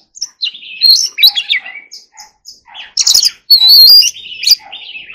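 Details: Forest-voice training song of an Oriental magpie-robin: mixed short whistles and harsh chattering bursts, then a long clear rising whistle, followed by softer warbled notes.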